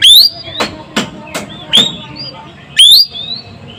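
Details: Asian glossy starling from Sumatra, called chatty and sharp-voiced: loud upslurred whistles at the start and near three seconds, with a series of short clicky notes between them.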